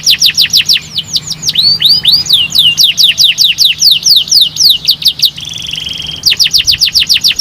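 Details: Canary singing to set off song in other canaries: loud, fast series of downslurred whistled notes about four per second, with one brief buzzy hold near the end before the notes resume.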